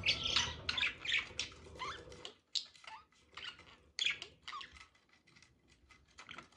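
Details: Budgies mating: scratchy clicking chatter and short upward-swept chirps in quick bursts, loud at first, then sparser and quieter after two seconds.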